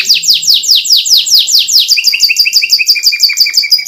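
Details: Canary masteran training song, full of varied fillers and elaborate twists, used to provoke other canaries: rapid high downward-slurred notes repeated about seven per second, then switching to a fast steady trill with a bright upper tone.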